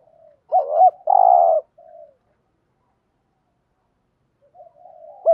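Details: One full Spotted dove phrase intended to stimulate other doves: a hooked double note and a long rough coo, a soft fading coo after, then quiet until another phrase begins at the end.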